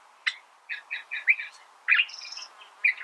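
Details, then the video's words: Brief California thrasher song passage with a sharp note, a run of quick chattering phrases, a drawn-out high whistle and a final harsh note. "California Thrasher Bird Sound"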